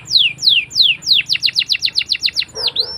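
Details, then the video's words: Canary song for training young canaries: a few slow descending whistles that accelerate into a quick series of sharp chirps, ending on a short upswept note. "PALING D CARI UNTUK PANCINGAN KENARI PAUD BELAJAR BUNYI!!"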